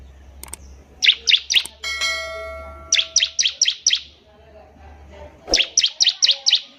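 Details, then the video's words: Bar-winged prinia song, used as training material for young birds: several rapid volleys of four to six piercing high chips, with a sustained ringing bell-like tone sounding briefly between the first two volleys. "CIBLEK GACOR || SANGAT COCOK UNTUK MASTERAN CIBLEK PAUD BELAJAR BUNYI"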